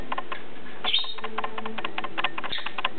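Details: A pair of PBFD-positive pet lovebirds at play, giving rapid, clipped chirps in quick runs, broken by a short squeaky note near the start and occasional soft taps.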